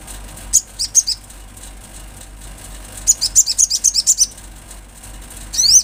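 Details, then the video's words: Natural recording of an olive-backed sunbird. A few spaced high chips give way to a quick cluster of twittering notes, and the clip ends with a rising, sweeping squeak. "Sogon gacor suara Asli Alam"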